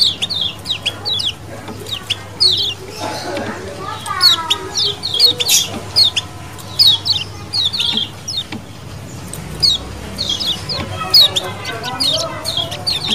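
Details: Lemon-bellied white-eyes calling as a colony in wild style, used as a lure: many sharp, high, downslurred chirps overlap in quick irregular bursts. A lower wavering cry rises briefly near the middle, over steady low hum.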